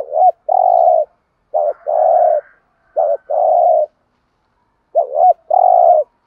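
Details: Lure spotted dove from Dak Lak, Vietnam, singing four deep cooing phrases in quick succession. Each phrase is a short broken double coo and then a longer even hoot.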